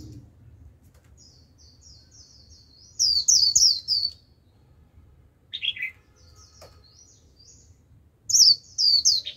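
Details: Lure white-eye calling to wild flockmates: three separate bursts of high, thin twittering, one containing a lower buzzy slur, with quiet gaps of a few seconds between them.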